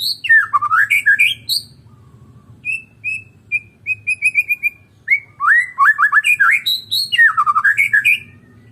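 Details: Medan white-rumped shama singing alone: rich, fast whistled runs that tumble downward, a series of clear level notes repeated several times a second, then harsh chattering bursts, over faint low background hum.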